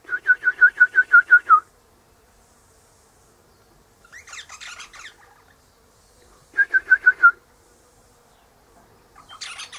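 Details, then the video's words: Morning Eastern rosella up in a hedge with its mate in a pecan tree nearby; rapid strings of loud piping notes, about eight in quick succession, broken by scratchy chatter, then another shorter piping run. "Eastern Rosella Parrot Chatting"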